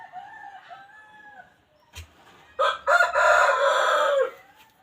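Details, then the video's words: Wild junglefowl rooster from a Hmong recording: soft drawn-out notes, then a loud, harsh, multi-part crow lasting well over a second, ending in a falling tail. "suab qaib qus qua zoo tiag2 li"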